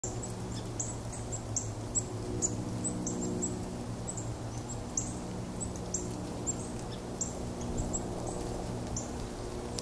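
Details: White-throated sparrow recorded 11 November 2023 at South Meadows, giving thin, very high, brief call notes scattered irregularly through the clip, over a steady low mechanical hum.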